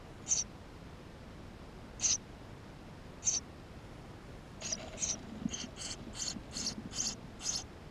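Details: Eurasian tree sparrow chicks in their nest, recorded by GoPro on 28 May 2016: three spaced high squeaks, then a faster, busier run of overlapping thin peeps near the end.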